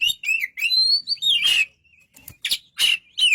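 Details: White-rumped shama singing a varied phrase of clear whistled slurs around the upper-middle range, interspersed with sharp broadband chattering notes and brief pauses.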